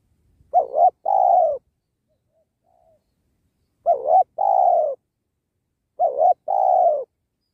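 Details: Spotted dove, a caged lure bird used while trapping wild doves beside a sacred tree, gives three two-part coos spaced about two and a half seconds apart, each a short wavering note followed by a longer steady hoot, in a quiet setting.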